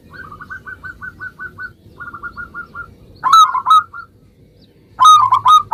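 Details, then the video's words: Local zebra dove in full song, used to draw replies from other zebra doves: a quieter, steady run of soft coos, then two louder bursts of three or four clipped, resonant notes. "suara perkutut lokal gacor"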